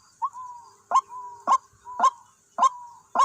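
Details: White-breasted waterhen at a decoy site where two birds arrived: a clear, steady sequence of short harsh upslurred 'kwak' notes, each followed by a thin level whine, repeating about twice per second in a quiet setting.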